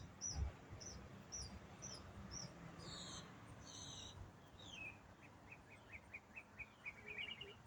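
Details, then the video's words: Songbird in autumn, a single bird in a long non-stop singing bout; a run of short high whistled notes, buzzy strokes, then a descending trill of fast repeated chirps, with faint low rumble beneath. "Autumn Songbird - What bird sings one complex riff for 8 minutes non-stop?"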